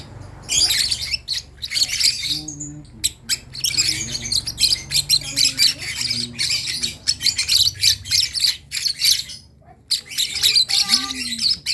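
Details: Young lovebird practising its first sounds, giving harsh, buzzy squawks and chirps in irregular bursts over about twelve seconds, with a few quiet pauses.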